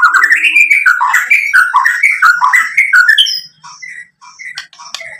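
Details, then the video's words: White-rumped shama song played to trigger a reply: fast run of rich, slurred whistled notes repeated several times a second, rising and falling, then softer scattered high chirps toward the end. "SUARA MURAI BATU Untuk Memancing BUNYI jadi NYAUT GACOR"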